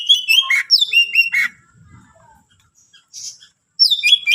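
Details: Singing greater green leafbird, used to provoke other leafbirds: a fast run of clear slurred whistles and sharp notes, a quiet gap with soft scratching, then renewed bright whistling.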